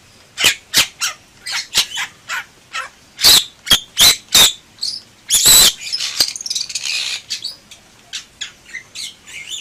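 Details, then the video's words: Energetic gacor song of a Bali myna: rapid sharp clicks and harsh squawks tumbling together, a longer grating burst midway, then scattered chattering notes with thin whistled tones. "Suara Burung Jalak Bali Gacor"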